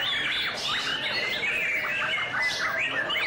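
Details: Displaying white-rumped shama sings short whistled phrases with rising and falling slurs and quick chirps about every half second, against a faint steady hiss.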